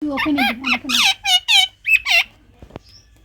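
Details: A parrot talking: a run of harmonic, speech-like syllables, lower-pitched at first, then climbing into higher warbled, squawky phrases, about eight bursts in two and a half seconds, followed by quiet and a faint click.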